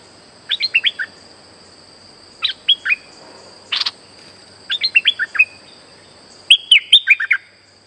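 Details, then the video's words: Streak-eared bulbul song used as a lure for trapping: short bursts of bubbly, warbled notes, each of four to six quick syllables, repeated every one to two seconds, over a steady high electronic-sounding tone. "Suara pikat merbah lekir gacor"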